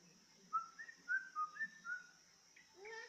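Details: Sooty-headed bulbul lured into singing, giving short clear whistled notes near one pitch that rise and fall slightly, about six in two seconds, then a few higher notes, over a steady high electronic hum.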